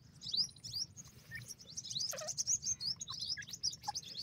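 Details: Grey francolin chicks being fed, a dense chorus of thin, high cheeping notes overlapping rapidly, with a few lower squeaky chirps and a soft low rumble underneath.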